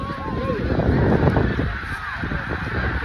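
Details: Snow geese in a huge flock at Middle Creek Wildlife Management Area: many overlapping nasal honks in a dense, continuous chorus, with a low rumble of countless birds beneath.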